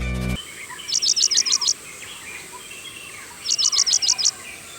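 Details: Paddyfield (Oriental) pipit in Sri Lanka, a bird of open wetlands, farms and fields, giving two quick bursts of six high, sharp chirping notes, each about a second long, over a steady faint hiss.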